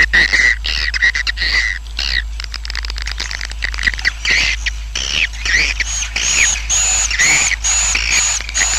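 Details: Swiftlet colony roosting sound, used to attract swiftlets so a colony grows quickly: dense twittering chirps and buzzy rasps, with sharp clicks and thin high whistled notes rising in places.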